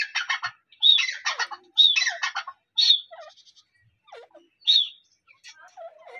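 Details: Female grey francolin calling, one of a pair: loud harsh chirping and squawking notes in irregular bursts, with fainter whistled notes between them.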